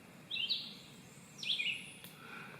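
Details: Red-eyed vireo singing two short, burry whistled phrases about a second apart, faint thin high notes behind; early morning under blue sky at a campsite in Rocky Fork State Park, Tennessee mountains, June 2023, possibly several vireos singing since six.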